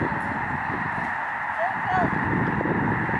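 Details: A vast migrating snow goose flock on Lake Springfield, Illinois, recorded from lakeshore gardens: a thick wall of blended honking calls, swelling slightly louder in the second half, one short clear note standing out above.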